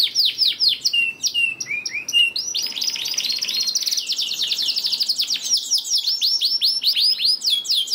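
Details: Canary song used to stimulate silent canaries: rapid descending chirps lead into a long, intense buzzing trill, then quick high sweeping notes repeated several times a second until the end.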